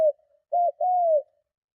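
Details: Strong luring coo of a spotted dove used to provoke rival doves: the tail of one coo, then a brief note and a drawn-out, gently descending coo, low and mellow.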